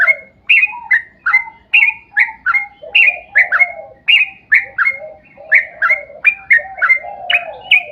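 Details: Sooty-headed bulbul singing a long, chattering rolling song meant to draw other bulbuls into song; crisp upswept whistled notes follow each other rapidly for eight seconds, layered over softer, lower gurgling phrases.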